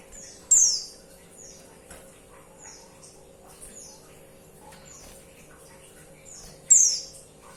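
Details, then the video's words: A female white-eye calls for the male. Two loud, thin, high descending notes come about six seconds apart, with fainter similar slurred notes between them. "Suara pleci betina Bikin Emosi"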